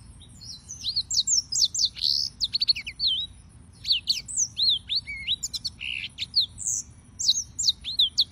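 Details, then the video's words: Serinus mozambicus, the yellow-fronted canary, in continuous song: rapid chains of sharp, high slurred whistles and buzzy trills, notes rising and falling steeply, delivered almost without pause for over eight seconds. "Suara Burung - (Serinus Mozambicus) White-tipped Green Singers Singing"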